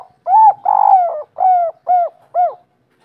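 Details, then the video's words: Kuk 3 coo of a local spotted dove: an opening soft note, one longer vibrating coo and three evenly spaced, mellow hollow coos, all low and smooth in a clean, quiet setting. "Derkuku kuk 3 lokal gacor ngamuk bikin ribut suara empuk langka"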